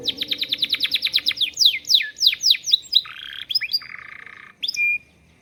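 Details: Canary tutored with lovebird song gives a fast run of repeated high chips, then slower downward-sweeping notes and harsh buzzy rasps, ending in a short whistled tone.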